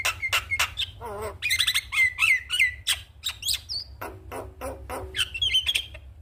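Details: Javan myna song played in the morning to spur other mynas into singing: sharp clicks and harsh notes mixed with whistled slides and a wavering trill, with a steady low hum underneath.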